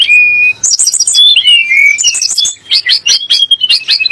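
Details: Sunda blue robin song, used as a provocation for magpie robins: a sustained whistle opens, then rapid high trilled clusters and slurred whistles follow in quick succession.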